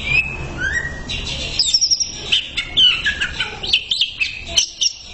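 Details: Master-recording song of a greater green leafbird for training: high twittering whistles and rapid chirped notes in bursts, with a steady low hum beneath.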